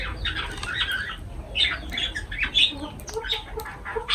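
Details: Lovebirds calling while feeding: rapid squeaky chatter and short harsh chirps in bursts, with faint background hum.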